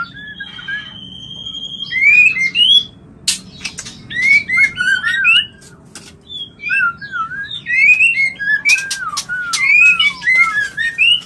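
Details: Mating call of a white-rumped shama, meant to stimulate birds to breed: a long level whistle opens, then fluid looping whistles, downslurs and scattered clicks and sharp ticks follow in lively irregular phrases, with a faint steady hum behind.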